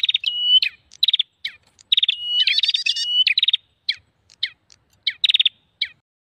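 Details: Prinia calls played as a bird-catching lure: fast ticking trills, a sustained high whistle, descending sharp notes, and clustered chirps in irregular bursts.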